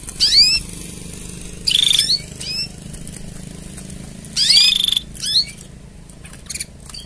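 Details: Mating song of a canary for training: a row of rapid descending whistled sweeps and dense bright trills in several bursts, with a faint low hum under the phrases.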